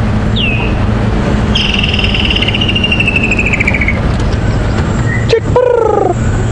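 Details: A Woodland Kingfisher, a summer-months call heard on a morning safari drive at Djuma Game Reserve, South Africa, 16 Nov 2015, gives a sharp introductory note, then a long, high, descending trill of about two seconds, over vehicle engine rumble.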